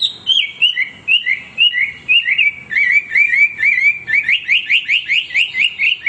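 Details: Hwamei singing without pause: clear whistled notes sliding down, then a fast series of short upslurred whistles repeated about twice per second, growing quicker and sharper toward the end.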